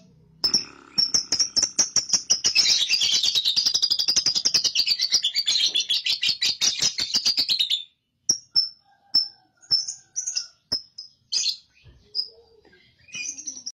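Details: Lovebird ngekek, a long chatter used as a lure for young birds: a fast rattling string of high chirps for about seven seconds, swelling in the middle, followed by spaced single sharp chips and short squeaks.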